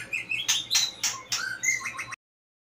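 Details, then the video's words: Two-year-old white-rumped shama singing vigorously: a rapid run of varied bright whistles and chattering notes in loud bursts a few tenths of a second apart, over a faint low steady hum, cutting off abruptly after about two seconds. "Burung Murai Batu Gacor Umur 2 Tahun"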